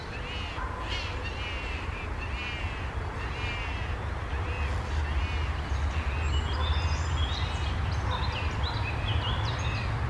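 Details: Young Eurasian jays, watched by a parent, give harsh nasal calls about twice a second on the morning of 1 June 2020, with thinner high chirps from other birds and a steady low rumble underneath.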